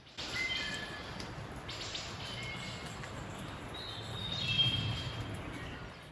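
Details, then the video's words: Wood Thrush song at the forest edge, Loyalsock State Forest, Lycoming County, Pennsylvania, around 6:40 a.m. on 27 June 2024, on a foggy morning after overnight rain: soft, flute-like distant phrases over wind and trail noise. "as we get ready to enter the woods we hear one of the classic sounds of north central Pennsylvania the song of the Wood Thrush"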